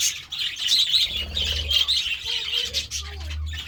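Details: Budgerigars eating vegetables, their lively mixed chirping and short squawks running on continuously, with faint lower whistles and a background hum.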